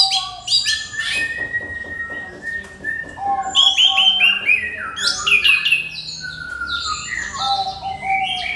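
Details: Crystal-clear song of an orange-headed thrush, used as a lure to provoke other birds: a rapid stuttering series of chips gives way to loud, varied, descending whistles and rich warbled phrases.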